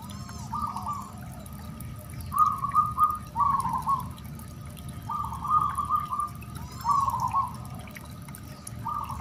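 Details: Song of a caged singing zebra dove, used to provoke other doves to reply and test their nerve: rolling, vibrating coo phrases repeated every second or two against a constant watery hiss and occasional high twittering.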